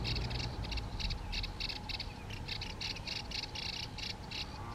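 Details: Yellow-eyed babbler, India, giving its song: rapidly repeated short sharp notes grouped in bursts of three to five, briefly paused between groups, against a low background rumble.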